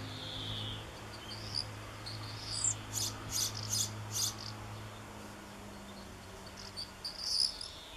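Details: On 7 June 2013 a young European pied flycatcher in a backyard calls for a parent: a run of five or six rapid, crisp, high ticks mid-clip, with scattered other bird notes and a constant low background hum.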